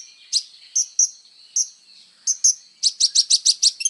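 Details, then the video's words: Kolibri ninja sunbird recorded for songbird training: spaced, sharp high chips at first, quickening into a rapid series of emphatic notes near the end. "SUARA BURUNG KOLIBRI NINJA GACOR FULL TONJOLAN"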